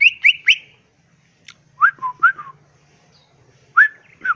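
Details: Greater green leafbird in full fill-in song, crest raised, perched. Three quick upslurred whistles, then spaced pairs of falling whistled notes with pauses between, over a faint low hum.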